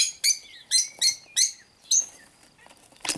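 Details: Cockatiels calling in short harmonic chirps, about six clear notes spaced roughly every half second, each bright and slightly downward-bending, with a quieter pause before a final scratchy burst.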